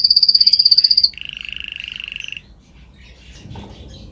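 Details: Canary singing in a training recording: a loud, rapid, pulsing high trill, then a lower even buzzy roll that stops, followed by faint quiet warbles.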